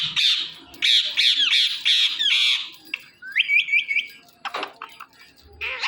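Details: Pet Indian ringneck parrot, one of two Indian talking parrots kept at home, calling: a fast run of harsh, screechy squawks for nearly three seconds, then a quick series of rising whistled notes and scattered chattering sounds.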